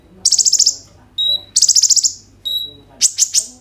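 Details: Fast buzzy trills broken by single clear high whistles from a kolibri ninja sunbird, a 'roll tembak' song meant to coax other sunbirds into singing, phone-recorded.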